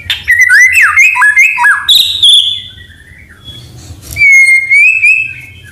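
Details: White-rumped shama singing busily with imitations of canary and cililin, used to provoke and tutor other shamas: rapid varied warbled phrases of swooping whistles, a high buzzy note, then a long clear whistle rising slightly at the end.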